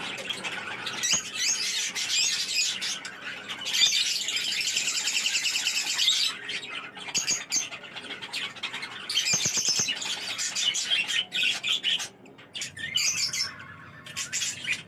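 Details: Pet budgerigars (parakeets) chattering continuously in dense, scratchy, high warbles and squawks, with busy overlapping bursts and brief pauses.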